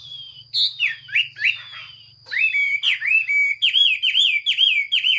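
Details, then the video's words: Loud Chinese hwamei song from 15 June 2021, with clear falling whistles and then rising-and-falling slurred notes repeated in rapid succession. A faint low hum and a constant high-pitched whine sit underneath. "Chim hoa mi hot xuy. Singsong bird very beautiful"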